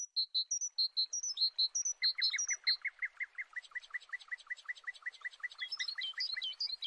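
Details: Jacana helping its offspring escape a predator: clear, high, whistled notes, then a rapid steady series of short, sharp downslurred calls repeated about twice a second, joined near the end by higher squeaky notes.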